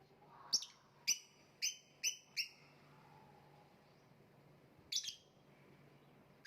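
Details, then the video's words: Lovebird calling in a quick burst of five shrill chirps about half a second apart, a short silence, then a doubled chirp and another sharp note at the end; faint low hum throughout. "voice of love bird/ kicau mania lovebird gantangan macet"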